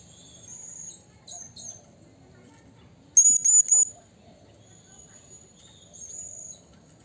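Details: Wild blue-crowned hanging parrot calling to a rival: thin, very high-pitched squeaky notes, a few scattered faint ones then a loud rapid cluster of three or four shrill chips midway, faint calls again near the end.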